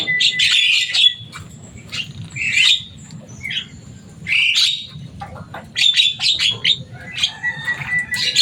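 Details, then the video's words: Captive Javan myna with a loud, rowdy voice giving harsh squawking bursts separated by short gaps, mixed with scratchy whistles, against a steady low hum. "Burung jalak kebo selain suaranya yang rame ada kelebihan nya bisa bicara"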